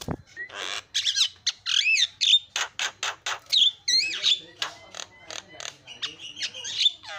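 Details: Javan myna singing as a provocation lure: continuous medley of harsh chatter, looping whistled slurs and rasps, with short dry clicks between phrases.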